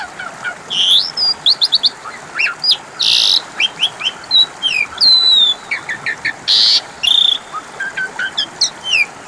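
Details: Lure recording of an Asian pied starling meant to make a quiet bird respond: varied high whistles, stuttering rattles and several loud wheezy, rasping blasts mixed through a continuous song.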